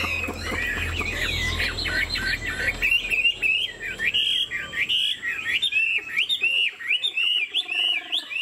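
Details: A caged Chinese Hwamei, 90% pure by its keeper's account, performing its nodding, lion-dance style of song. Loud, varied whistles swoop up and down, with a low hum early on and sharp clicking notes toward the end.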